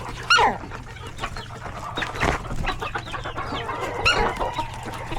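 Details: Chickens, roosters and chicks in a coop at hectic lunchtime feeding: busy overlapping clucks with a few high, thin chick peeps, over a constant low hum.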